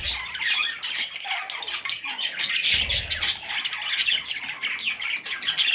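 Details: Several young parrot chicks give a steady stream of overlapping high, scratchy squeaks and chirps, busy and unbroken throughout, with a brief soft thump near the middle.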